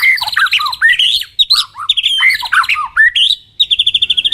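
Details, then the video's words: Full song from a pair of White-rumped shamas for bird training: loud, quick-changing whistled and slurred phrases, some harsh notes, closing with a fast, even trill of about ten repeated notes. "Duo GACOR !! Burung MURAI BATU Full isian MASTERAN PANCINGAN"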